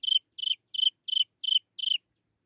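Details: Young Chinese francolin calling for its mother. Six brief, high-pitched chirps come evenly spaced over two seconds, each pulsing slightly and dropping at the end, against silence.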